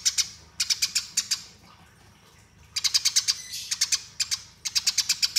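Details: Eurasian tree sparrow in fighting song, its rolling style used for master training, delivers several quick runs of sharp, high chirps, each run four to seven notes, with a short quiet gap mid-sequence.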